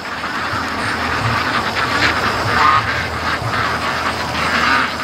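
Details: A large flock of free-range ducks returning from the lake, heard from above on a ladder; continuous layered quacking from many birds, with a few clearer nasal calls poking through.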